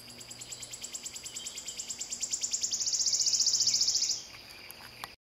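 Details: Wood warbler song: high, ticking notes repeat faster and faster for about three seconds, then merge into a loud, shivering trill that stops abruptly. A faint low hum sits underneath.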